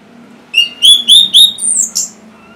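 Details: Orange-headed thrush singing, used to prompt silent birds into song: four evenly spaced rising whistles, then two piercing, very high slurred notes, over a faint steady hum.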